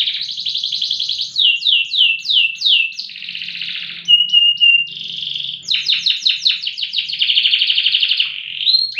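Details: Loper canary of contest standard, singing long and loud: rapid series of steep descending sweeps, a steady held tone with brief breaks, then a fast rattling roll and a rising final note.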